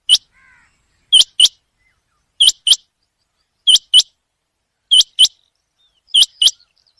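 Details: Night calling of a common quail, a hunters' calling recording: clipped, bright doublets of high notes given roughly every 1.2 seconds, plus a faint lower chirp near the start.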